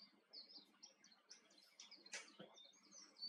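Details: A wild male Atlantic canary on Tenerife sings a fast, high run of whistled notes and chirps, with a brief harsh burst midway and faint background noise.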